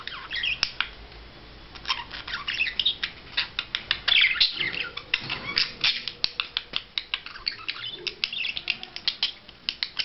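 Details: Budgerigar in courtship display, keeping up a fast warbling chatter of squeaky chirps, rasping notes and regular clicking ticks throughout.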